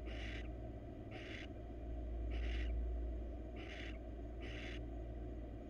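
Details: Wild female barn owl at a monitored nest box calls for attention with five raspy, hissing screeches in an uneven series, a low electrical hum running throughout.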